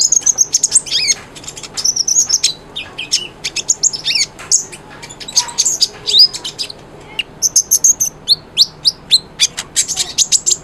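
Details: Konin, the brown-throated sunbird, singing busily as a model for silent birds: sustained high-pitched chatter of chips, slurred whistles and twitters with few breaks.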